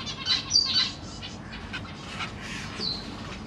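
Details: Zebra finches kept in a large cage, Black Cheek variety, with parents feeding young fledglings and juveniles, 25 June 2023. A quick cluster of thin, nasal chirps comes early, then a fainter single call, over low background hum.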